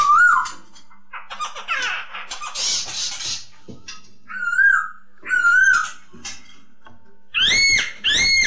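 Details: Masked laughingthrush song used to train and stimulate kept songbirds: rough, scratchy chattering bursts mixed with clear rising-and-falling whistled phrases, ending in two bright, ringing whistled notes.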